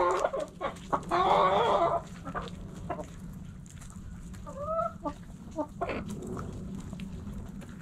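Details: Chickens in a backyard coop: a loud burst of harsh squawking early on, then scattered soft clucks and a short two-note call over a steady low hum.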